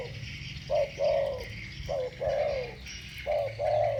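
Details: Two spotted doves singing thổ bầu-style coos against each other: mellow, low cooing phrases, each a short note followed by a longer falling one, repeated three times over a steady low hum.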